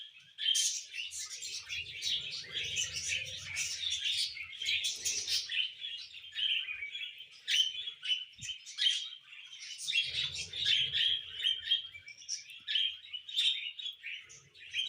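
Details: A tame pet cockatiel chirps and whistles in quick, scratchy bursts, with faint low murmurs now and then.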